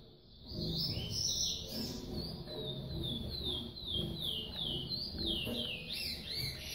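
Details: Female Yellow-bellied Seedeater feeding her chick in a home breeding setup; the young bird gives steady, excited high chirps that sweep upward, repeated quickly and evenly, over a low rumbling background.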